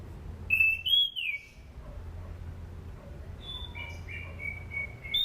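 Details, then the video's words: Orange-banded thrush song, offered as a lure to coax other kept thrushes into singing: clear high whistled phrases, some sliding downward, in two bursts separated by a quiet gap, over a low steady hum. "SUARA ASLI ANIS CENDANA ..COCOK UTK PANCINGAN AM,AK DAN AC"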